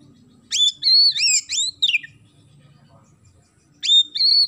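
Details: Oriental magpie-robin with sparrow-imitating song: sharp, rising whistled phrases in quick succession, a short pause, then another bright whistled phrase. A low hum sits underneath.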